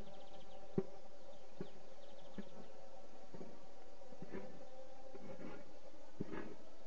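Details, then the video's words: A woodpecker gives sharp, hollow taps, singly or in pairs, roughly one every half second to second, over a steady low buzzing hum. "نقار الخشب نقار الخشب تفعل ما تفعل عادة"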